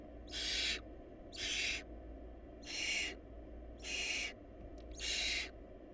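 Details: Barn owl nest with too little food, where breathy, rasping hisses come in a series of five, each about half a second, spaced roughly once a second over a quiet hum.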